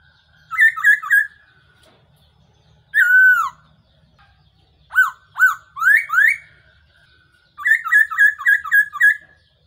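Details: Black-throated laughingthrush decoy call for trapping: rapid stuttering runs of short notes bracket a long falling whistle and a string of rising, swooping whistles, all loud and clear.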